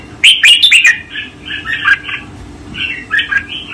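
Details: Red-whiskered bulbul master song used to train caged birds, 2024: a loud burst of rapid bright chirps, then softer rolling, warbled whistles in two short groups.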